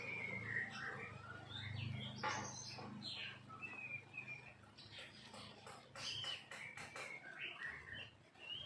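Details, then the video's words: Oriental magpie-robin (kacer) in ngobra display, giving scattered whistled notes and sliding phrases mixed with sharper chirps, quieter and broken by short gaps, over a low background hum. "KACER POCI NGOBRA,KACER CALON JAWARA"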